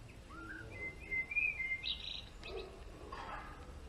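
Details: A male European greenfinch in a garden delivers a long, level, wheezy note, then a few brief higher chirps, over soft background noise.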